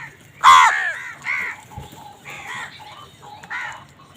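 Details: Crows squabbling over food: a loud harsh caw opens, followed by three softer, hoarse caws spaced about a second apart, with faint background rustle.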